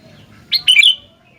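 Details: Sooty-headed bulbul in lively song, uttering one bright, bubbling phrase with a short lead note and a fluid warble, over a quiet low rumble.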